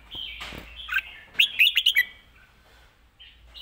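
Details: Red-whiskered bulbul, kept caged, sings live in a quick 'rik' style. A tight run of four or five bright, sharp notes sits between soft warbling, with a brief noise at the start.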